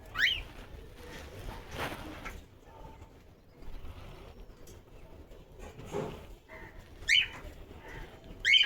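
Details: Cockatiel calling while dancing: sharp rising chirps, single and in short pairs, several seconds apart, over steady indoor background noise and low rumbling.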